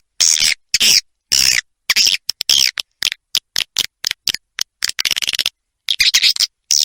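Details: Edible-nest swiftlet call played as a roosting lure, "Ratu Birahi" type: irregular short squeaky chirps and clicks, some in quick runs, separated by clear pauses.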